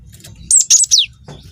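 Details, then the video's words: Cinereous tit, a young bird in full song: one quick phrase of high, piercing notes ending in a steep downward slur, with a low background hum. "PANCING BUNYI GELATIK BATU GACOR WINGKO"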